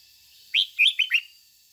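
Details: Red-whiskered bulbul decoy in 'ché' song: one quick phrase of four bright, rising-and-falling whistled notes, over a faint steady high background tone.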